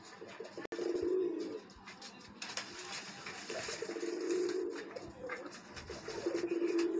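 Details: Sialkoti pigeons from Pakistan, a pair kept indoors, giving low throaty coos in three bursts, the longest over a second, with sharp clicks and shuffling noises in between.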